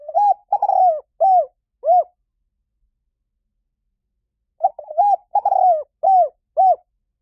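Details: Two complete cooing phrases of a spotted dove, separated by about three seconds of quiet, each a quick stutter of low notes, a rolling coo and two or three round hoots.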